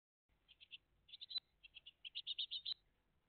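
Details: Great tit family at the nest, live on 20 June 2023 between 06:02 and 08:01 in the morning: short bursts of high, rapid chirps, a quick group of three, then two longer runs of eight to ten notes, with a faint low hum.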